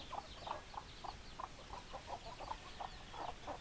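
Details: Hens clucking in a steady run of short, rhythmic clucks, roughly three each second, each with a slightly nasal edge, over a soft hissing background.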